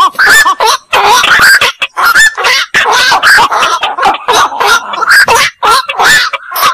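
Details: Black-crowned night heron giving loud, raspy squawks in a near-continuous overlapping chorus, short gaps between rough bursts and a few wavering, nasal notes.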